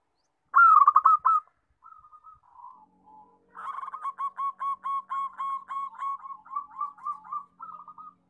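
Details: Zebra dove giving a loud rolling burst of coos, a few soft scattered notes, then a long fast series of crisp staccato coos at an even pitch that gradually loosens toward the end.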